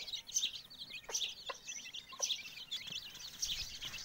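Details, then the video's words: Mother hen and chicks: busy, overlapping shrill chick peeps and short sharp clicks and taps in the background. "cute chick's and mother hen"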